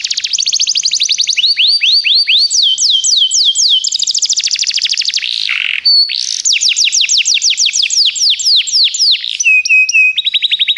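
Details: Canary in continuous song for training: long chains of rapid sweeping trills changing speed and pitch, a brief buzzy break near the middle, and closing steady whistled notes.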